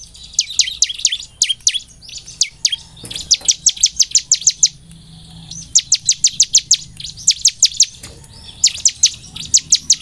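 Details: Ciblek semi lure song of a bar-winged prinia to encourage energetic singing: long series of piercing high descending notes in bursts of four to nine, brief gaps, a faint high hum behind.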